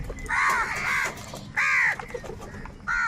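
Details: Several crows of a big flock squabbling over food utter drawn-out, hoarse caws, one long strained call followed by a shorter one and the start of another.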